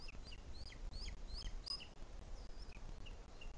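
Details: Nest of Booted Eagle in Madrid's Sierra de Guadarrama, 2021 breeding season, adult feeding the chick: clear high chirps in a quick, uneven series, fading to a few softer notes, over low background noise.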